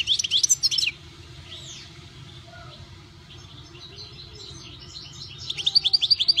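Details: Kept European goldfinch giving a quick burst of bright, twittering notes, then a quieter stretch with soft scattered chirps, before the fast, high tinkling song returns at the end. A faint low hum runs throughout.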